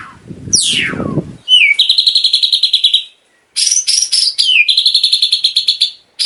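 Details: White-rumped shama song for daily tutoring of caged birds and contest preparation. A steep falling whistle leads into a long, fast, even rattling trill, a brief silence, then a swooping note and another sustained rapid trill.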